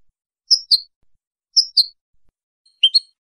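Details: European goldfinch, song of the clean (limpio) style, recorded 2023: three paired high notes, each pair a sharp chirp then a slightly lower twitter, spaced about a second apart, in otherwise silent surroundings.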